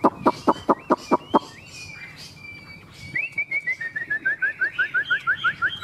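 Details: Chinese hwamei in a cage on a peach tree on a windy, sunny day: a series of sharp, loud clicks, brief whistles, then a fast accelerating run of short rising whistled notes repeated many times.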